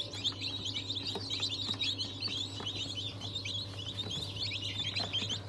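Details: Many newly hatched chickens, breeds including Cochin, Wyandotte and Ayam Cemani, 22 January 2023: rapid, high, piercing cheeps overlapping without pause, plus a steady low hum.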